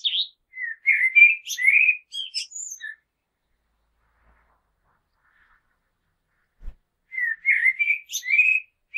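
Common blackbird singing two mellow, fluting warbled phrases, each ending in a thin, high twitter, separated by a few seconds of quiet.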